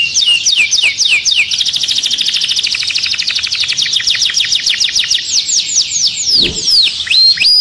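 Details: Canary song used to stimulate birds for mating, moving from repeated downslurred notes into a long fast high trill, then bright sweeping whistles, with one brief low thump partway through.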